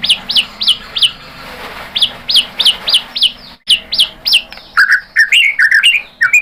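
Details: White-rumped shama (murai batu) lure song meant to stir others into singing: clear downward-sweeping notes repeated steadily, a short break, then a rush of mixed whistles and chips.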